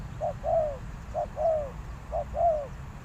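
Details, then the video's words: A decoy spotted dove gives three clear coo phrases, each a quick short note and then a longer sliding coo, over a soft background hum. "chim cu mồi gáy gọi bổi"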